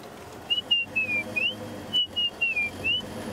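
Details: Male white-browed scrub robin singing close to the road at sunset in Sabi Sand, early April, advertising his territory to attract females and frighten rivals: a clear, high whistled phrase of four or five slurred notes, falling then rising, given twice over a faint low rumble.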